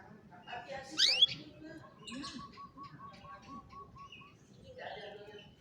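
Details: Canary song used for training a lazy canary to sing, recorded on a cellphone: a sharp rising sweep, then a steady rolling series of even low notes for about two seconds, and later softer chirps.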